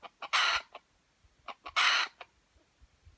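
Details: Aceh junglefowl, F1 with white legs: two loud, harsh, broadband bursts about 1.5 seconds apart, with short clicks and faint low knocks between them.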